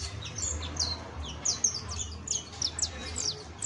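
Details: Juvenile saffron finch giving a soft, high twittering song of short down-slurred notes and chirps, irregularly spaced, with low background hum.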